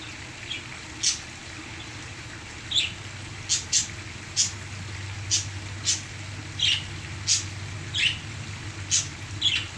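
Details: Pet parakeets sing to the sound of a waterfall, giving short, bright, high chirps, about one a second at an uneven pace, over a steady low rush of falling water.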